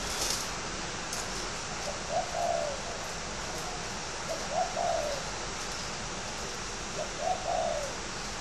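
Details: Fighting-type spotted dove at a bird farm in Ba Vì district, Hanoi, Vietnam, repeating a soft two-part coo three times at roughly two-and-a-half-second intervals against constant hiss.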